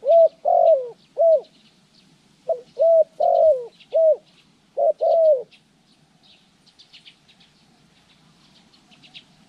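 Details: Spotted dove kept as a decoy for trapping, training session on January 14, 2020: a rapid run of hollow, downslurred coos in loose pairs and triplets for about five seconds, then silence with faint high chirps of other birds.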